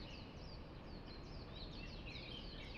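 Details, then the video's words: Numerous birds calling at dawn from a park below an apartment in Hong Kong; sharp, high, slurred chirps overlap densely and grow busier toward the end, with continuous low hum underneath. "Nagising Ako sa Huni NG mga Ibon"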